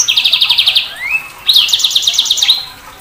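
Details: Sanger bird giving a fast, even rattling trill, then a rising slurred whistle, followed by another long, bright, buzzing trill that trails off.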